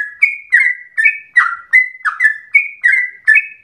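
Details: Yellow-vented bulbul singing a long rapid 'ropel' phrase that is said to resemble a straw-headed bulbul: bright, slurred whistles repeated quickly, each note dropping or rising slightly, in a clean recording with no background noise.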